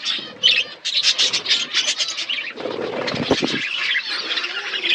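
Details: Budgerigars eating food in an outdoor aviary: dense, overlapping high chirps and scratchy warbles from several birds, briefly interrupted midway by a lower, rougher burst of sound before the bright chattering resumes.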